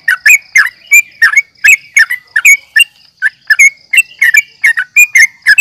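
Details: Yellow-vented bulbul calling to fight, nggaruda uplik tarung style, used to draw rival birds into answering: busy bubbling chatter of clustered notes, some rising, some falling, almost without pause, a steady faint whine throughout.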